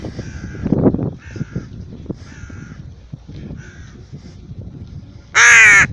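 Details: Pet rook being taken for a walk: several quiet, nasal, evenly spaced calls with rustling and thumps, then one sudden loud, raucous caw near the end.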